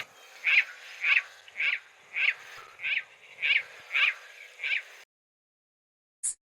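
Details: Spotted Rail (saracura carijó), one of Brazil's rails: a series of eight harsh, wheezy notes about half a second apart over a steady hiss, stopping abruptly, followed by a brief high click.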